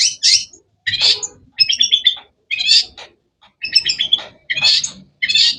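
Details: Long-tailed shrike (cendet) producing harsh, squawky chirps in grouped bursts about every second, with rich buzzy texture and faint low background noise.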